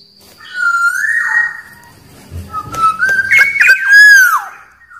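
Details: Black-naped oriole giving two long fluty whistled phrases: the first rises and then holds level, the second steps upward and slides down, over faint background hiss.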